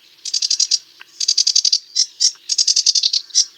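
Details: Rapid rattling series of rasping notes from a sedge warbler, delivered in bursts of about six to eight notes, broken by short gaps and single sharper calls.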